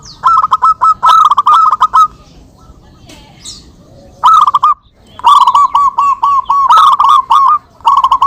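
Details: Local zebra doves calling back and forth as a lure recording: long strings of quick, bubbling coo notes at a steady pitch, broken by a quieter gap, then several answering phrases.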